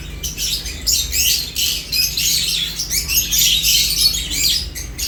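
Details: Lovebirds feeding and chirping rapidly, sharp squeaky notes about three per second, layered and raspy, with a low background hum.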